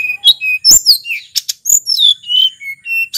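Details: Local sulingan of Mount Merapi, sung to lure other birds: clear whistled notes alternating with sharp high sweeps and short buzzy chirps, delivered in a brisk, unbroken sequence.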